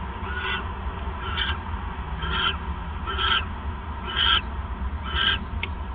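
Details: Owl calling during a nighttime mouse delivery by a male, 9:42 PM on 28 December 2014: a steady series of short, coarse hissing rasps, roughly one each second, with faint low hum.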